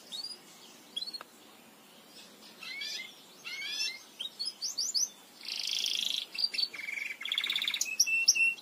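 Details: Belgian canary singing, a tutor song for teaching canaries: scattered high chirps and short rising sweeps, then buzzy rattling phrases and brief trilled passages, fairly quiet with pauses between phrases.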